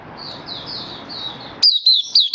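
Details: Oriental white-eye in song: soft slurred high whistles over faint background hiss, then a few louder sharp chirping notes near the end.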